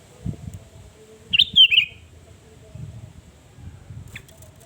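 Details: Sooty-headed bulbul song used as a lure to provoke rival birds: one short, bright whistled phrase that dips and slurs downward, over a faint low rumble of background noise.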